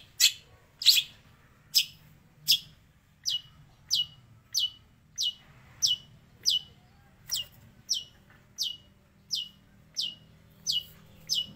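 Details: Long-tailed shrike imitating sparrow and prinia; a long, steady run of about sixteen sharp, downslurred high chirps, roughly one every seven-tenths of a second.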